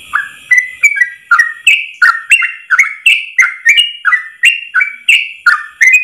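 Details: Long one-breath ropel song of a yellow-vented bulbul, used to teach trucuk birds; lively, liquid whistled notes with downward and upward slurs, repeated almost three per second in a continuous, chattering sequence.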